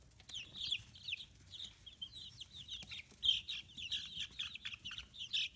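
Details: Free-range chicken chicks, fifteen days after hatching and growing feathers, in Hiroshima Prefecture, Japan. High, bright peeps tumble out in quick runs with small pauses, one sharper chirp standing out near the middle.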